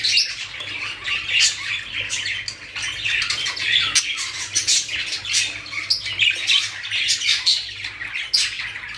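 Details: Many budgerigars in a breeding-cage collection in Pakistan keep up a continuous bright chatter: twittering warbles, squeaks and rasping squawks layered over one another.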